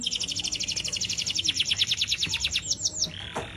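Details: Uncaged Atlantic canary in full song, used as a training master: a rapid rolling trill of high, clear repeated notes, roughly three per second, steady throughout and ending in a short buzz.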